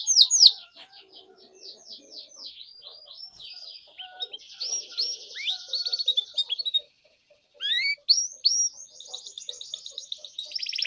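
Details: Canary song used as a lure for young canaries learning to sing: long trilled phrases of high rising notes, a buzzy section, a brief pause, then more trills, with faint low chirps beneath.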